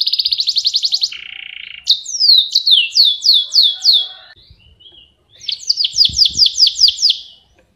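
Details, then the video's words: Canary (kenari) singing vigorously in a recording meant to tutor other songbirds, paired with a blacken: a fast high trill, a lower buzzy rattle, then a run of downward-swooping whistles and a rapid rolling series, with faint low knocks. "Suara Kicau Blacken Gacor vs Kenari gacor panjang"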